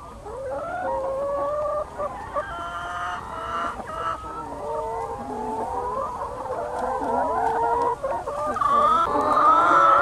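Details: A flock of young free-range chickens on a Lower Rhine farm in Germany. Dense, overlapping clucking and drawn-out wavering calls continue without a break and grow louder and busier toward the end.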